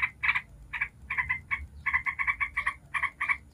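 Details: Ngebren-style song of a yellow-vented bulbul, played to provoke other bulbuls into answering: clipped, raspy chuckling notes in uneven bursts, some doubled, over a faint low rumble.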